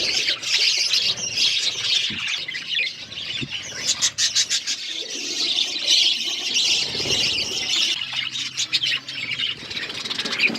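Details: Feeding budgerigars in an aviary flock give constant high twittering and squawky warbles, many voices overlapping, with scattered sharp clicks and faint low rustles.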